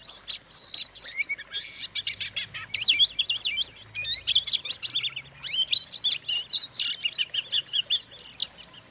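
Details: Oriental magpie-robin singing to rile up rival magpie-robins: a continuous, rapid medley of shrill whistles, buzzy trills and twittering notes that runs unbroken for about nine seconds.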